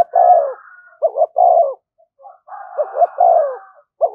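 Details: Low cooing phrases from a spotted dove used to entice wild doves: long falling coos alternating with quick double notes, overlaid in places by a fainter higher tone.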